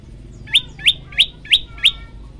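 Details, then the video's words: Prolific tailorbird song from a training recording: five crisp rising chirps spaced evenly about a third of a second apart, each with a thin high overtone, against a faint low background hum. "masteran handal prenjak lumut gacor variasi"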